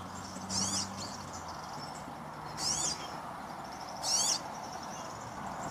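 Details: Verdecillo or chamarín, the European serin: three short high jangling phrases spaced about one and a half seconds apart, with a faint low hum near the start and steady background noise.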